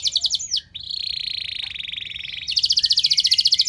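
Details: Loud, long canary song played to set other canaries singing: quick high repeated notes, a brief downward sweep, then a lower sustained rapid trill, ending in a very high fast chattering trill.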